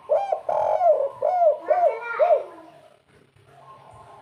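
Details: Local spotted dove giving the rare, sought-after three-note 'kuk 3' coo: five husky, arched coos in quick succession over about two and a half seconds, then quiet with faint low background noise.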